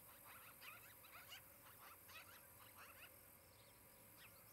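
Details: Nest-camera recording from an osprey nest in Charlo, Montana, 23 July 2018, late morning; a rapid series of high, clipped chirping notes repeats through the first three seconds, then fainter chirps over constant hiss.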